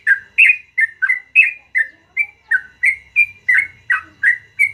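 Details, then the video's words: Morning song of a yellow-vented bulbul in the long 'ropel' style: a quick, steady run of rich, warbling whistled notes, roughly three per second, alternating slightly higher and lower, with a faint low hum underneath. "BURUNG TRUCUKAN GACOR ROPEL PANJANG DI PAGI HARI"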